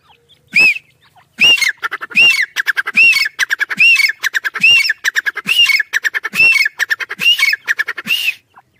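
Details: Black francolin (kala teetar) chicks fighting: harsh, squawking notes with arched, ringing overtones, first spaced about a second apart, then running into dense, rapid bursts of clipped squawks until the end.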